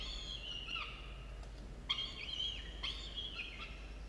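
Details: Nest camera at a university, early morning of 27 October 2022: a pair of falcon chicks, 13 and 17 days old, utter three strained, quavering call phrases, each sliding downward at the end, over steady low background hum.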